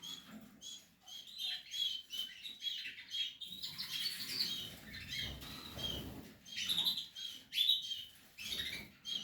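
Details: Portuguese harlequin canary during nest building, giving bursts of high chirps and trills mixed with rustling and fluttering sounds.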